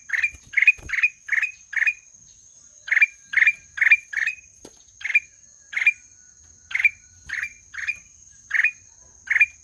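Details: Black-naped oriole in a long series of short, harsh, buzzy notes with a rising flick at the end. They come in quick runs, then spaced out, about two per second, over quiet background.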